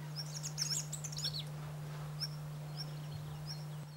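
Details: Wallcreeper, a rare or passage bird in Corrèze, France, gives a quick burst of thin, very high chirps, then a few brief single notes, over a steady low hum.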